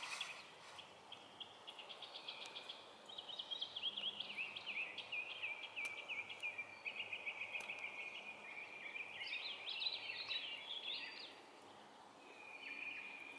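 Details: A female-type purple finch sings in a yard in Baltimore County, Maryland, on 13 April 2023: a long, rich, rambling warble of quick slurred notes at mid-high pitch, running about ten seconds over faint background hiss.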